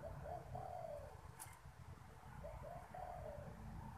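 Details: Cage spotted dove cooing as strangers come near, giving two soft low phrases about two seconds apart, each a quick double note then a long slurred falling coo, with a constant low hum and one sharp click.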